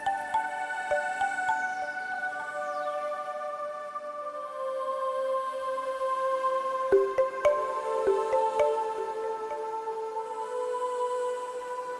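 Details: Soft ambient music of sustained tones with a few drip-like plucks, and no animal voices.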